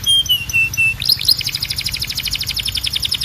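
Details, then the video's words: Canary song opening with clear sustained whistles, then breaking into a quick, regular trill of bright pulsed notes. "Ultimate Canary Singing Compilation"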